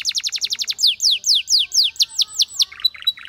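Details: Singing canary delivers a quick run of descending whistled notes, then slower sweeping downslurred whistles about four per second, ending in short clipped chirps.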